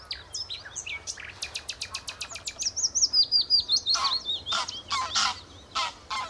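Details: Common nightingale at the Horsmeertjes, Texel, delivering a fast series of sharp clicking notes, then a fluttering whistled trill followed by loud repeated harsh phrases, against quiet low background noise.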